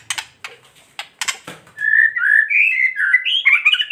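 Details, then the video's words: White-rumped shama singing in the kretekan style, used to provoke other shamas into excited singing: a burst of dry, crackling rattles and clicks, then a run of loud, rich whistled phrases that rise and fall and grow more warbled toward the end. "Kretekan murai batu gacor AMPUH memancing murai batu agar EMOSI"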